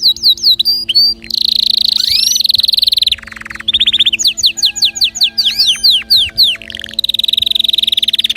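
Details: Canary song to make other birds sing, mixing sharp falling whistles, long buzzing trills and quick repeated rattles in a loud continuous stream.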